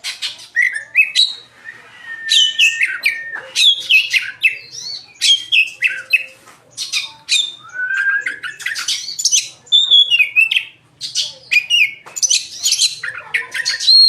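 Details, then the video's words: Oriental magpie-robin singing a long, lively 'gacor' sequence of 'nembak' and 'isian' phrases: rapid mixed whistles, slurred notes and harsh buzzes in quick bursts with short gaps over fourteen seconds. "BURUNG KACER @BLACKBOYS GACORR FULL NEMBAK ISIAN"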